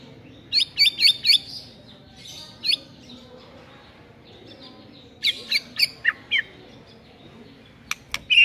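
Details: White-rumped shama giving short bursts of three to five sharp, high chipping notes separated by quiet gaps, over a faint background hiss.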